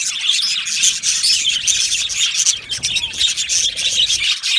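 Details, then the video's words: Yellow male budgerigars in an aviary colony chirping together: a dense, continuous wall of high, scratchy warbles and short tweets, with sharp chirps popping out of the steady chatter throughout. "Beautiful Yellow Male Budgies Birds Chirping sounds"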